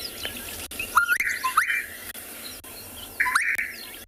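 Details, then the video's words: Recorded gorgeous bush-shrike song, one of several variations played on a South African Kalahari reserve drive: a rising whistle leading into a burbling, higher phrase, then a pause and a similar phrase, over soft hiss and faint chirps. "A few different variations there, the gorgeous bush shrike."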